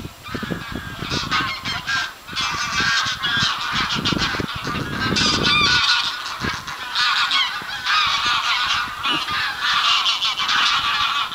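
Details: Several geese honking together in loud, nasal, overlapping calls that come in uneven bursts and barely pause, forming a continuous clamour with brief dips between groups of honks.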